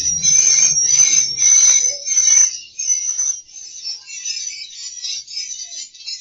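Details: Swiftlet call played in a bird house to attract swiftlets to roost: dense, high, thin chirping and whistling held almost continuously, loud at first, then broken into quieter rapid twittering phrases, with faint low rumble early on.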